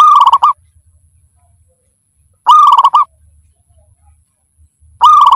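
A zebra dove gives short, rapid bursts of staccato cooing notes, repeated about every two and a half seconds.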